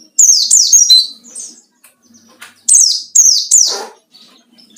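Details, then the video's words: White-eye giving ngalas song to call out rivals, a lure: quick sets of two to three shrill, falling whistles in two bursts, one ending in a brief noisy rasp, then another note begins. "burung pleci ngalas cari lawan//ampuh buat pancingan"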